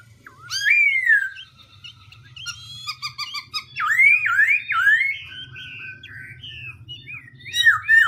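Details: Black-throated laughingthrush varying its song continuously: a rich falling whistle, a stuttering burst of short chips, then several loud looping, zigzag whistles and varied phrases, ending with bright sharp notes over a low hum.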